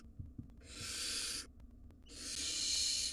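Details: Begging hisses from five wild barn owl nestlings calling to their parents from a nest box camera: two long raspy, breathy screeches separated by a half-second pause.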